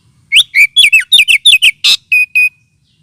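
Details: Oriental magpie-robin lure call, also used as therapy for birds lacking aggression: brisk run of loud downslurred whistles, a single harsh rasping note, then two clear steady level whistles.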